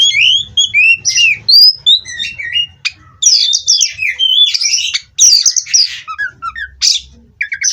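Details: Oriental magpie-robin from a contest breeding line delivering a long varied song: slurred whistles stepping up and down, dense buzzy runs and clipped chirps, nearly continuous over several seconds.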